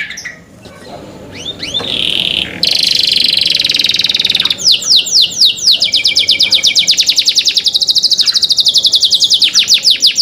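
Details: Canary song in cenkok style: a few scattered whistled upslurs, a sustained buzzy rattle, then rapid repeated downward-sweeping notes running on in an even, quickening chain.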